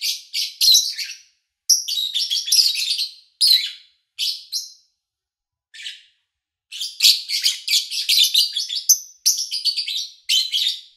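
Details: Lovebird recorded in August 2019, morning to evening sessions, background noise kept low: bursts of fast, shrill, scratchy chirping, a near-silent pause with one faint note, then a long energetic chattering run.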